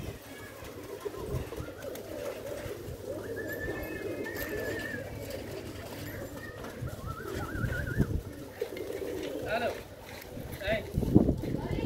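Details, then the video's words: Pigeons giving low rolling coos amid steady background noise, with a few higher whistled notes from other small birds and some knocks near the end. "the sound of pigeon"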